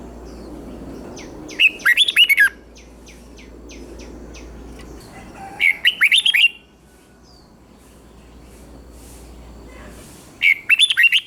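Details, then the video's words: Red-whiskered bulbul song in the southern master style from Thailand, played to stir up other bulbuls: three short bursts of lively warbled whistles roughly four seconds apart over steady low background hum. "เสียงนกกรงหัวจุก สำหรับต่อ หรือ เปิดให้นกคึก เสียงเพราะๆ"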